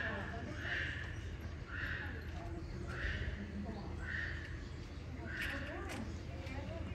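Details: Captive lesser sulphur-crested cockatoo at Fukuyama City Zoo, Japan, giving harsh, raspy calls repeated roughly once a second, five in a row, over a steady low rumble of background noise.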